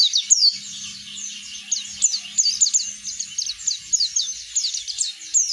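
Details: A continuous, high-pitched twittering song from an Oriental white-eye, sung openly and loudly as a lure to set other birds singing. The song is made of quick, downward-sweeping chirps packed densely together, with a faint low hum underneath.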